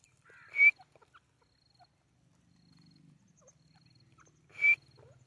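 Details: White partridge, locally called white teetar, giving two short harsh calls with a sharp ringing tone about four seconds apart, quiet in between with faint low hum.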